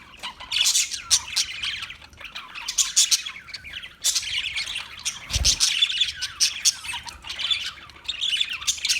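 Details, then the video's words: Chattering parakeet calls, high and scratchy, in quick irregular bursts separated by short gaps, with one brief low thud around the middle. "Birds Parakeet Sounds Parrot Chirping Sounds"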